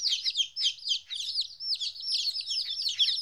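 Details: Young chicks aged two weeks, first time away from their mother, uttering bright arched and falling cheeps in quick succession, some longer whistled peeps, over a faint low rumble.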